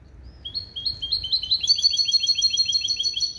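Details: Cage-raised hybrid from a male goldfinch and female canary sings a limpio song composed of goldfinch base calls: a few spaced chirps accelerate into a dense, bright, rapidly repeated high trill.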